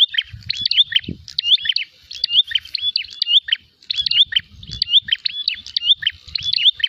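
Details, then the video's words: Prinia in fighting mood seeking a rival: rapid, high chirping phrases with whistled slurs, repeated steadily with a brief gap near the middle, plus occasional low knocks. "prenjak gacor narung mencari lawan"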